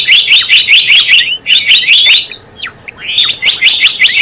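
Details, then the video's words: Java sparrow used as a lure for trapping: steady rapid chirping, roughly six notes per second, pausing briefly for slurred descending whistles before the fast chirps resume. "SUARA PIKAT BURUNG GELATIK BLOONG"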